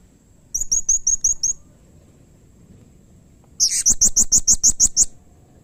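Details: Blue-crowned hanging parrot, with a call said to be quickly answered by others of its kind: six evenly spaced high, thin chirps, then after a gap a louder run of about ten.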